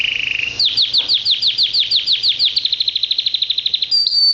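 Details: Pet canary singing: a brief steady whistled note, then a rapid run of about thirty high downslurred notes that quicken toward the end. It closes on a thin, high whistle.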